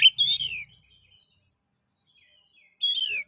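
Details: Oriental magpie-robin song used to provoke singing in other magpie-robins: two short bright whistled phrases, each slurring downward, separated by about two seconds of silence.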